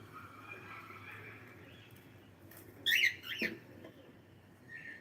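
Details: Pet cockatiel giving a short, harsh, bright chirp midway, followed quickly by a softer second note, then a faint high whistle near the end, over a low steady indoor hum.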